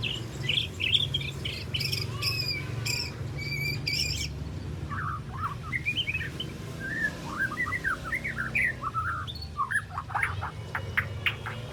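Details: Young white-rumped shama, three months old and still spotted, practising its varied song with besetan and sharp tembakan phrases: bright high chirps and slurs at first, then lower warbled twisting notes running on, with a low background hum.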